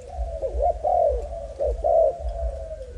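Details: A young male Malaysian-strain spotted dove with a broken wing gives a few rich, throaty coos, rising then falling, separated by short gaps.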